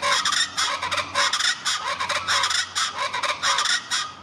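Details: A pair of Rufous-vented chachalacas (Ortalis ruficauda) in Caracas sing in duet: harsh, raucous, rhythmic chattering phrases, overlapping in a loud, grating chorus repeated about once a second.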